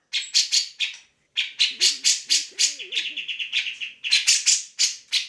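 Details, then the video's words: Vigorous grey-cheeked bulbul song used for training songbirds: raspy bursts, a short pause, then fast buzzy notes running into a quick trill, with a faint low warbling underneath. "Cak Jenggot Gacor"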